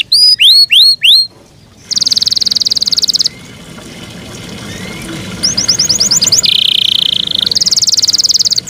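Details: Yorkshire canary kept as a pet bird, singing in bursts: a few loud downward-swept whistles, a pause, then buzzy rapid trills and a steady harsh rolling tour, separated by quiet gaps.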